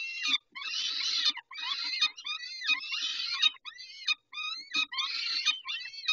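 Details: During a peregrine falcon feeding on 19 May 2021, rhythmic rasping cries repeat in short chopped bursts, with some slurred downward notes and quiet gaps of silence.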